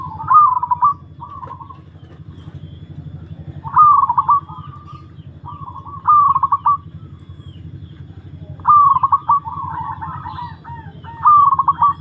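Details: Zebra dove (perkutut), a long-kept bird undergoing a mental test, sings repeated phrases roughly every two to three seconds: a bright upper note, then a rolling string of quick coos, with quieter short coos between, over a constant low hum.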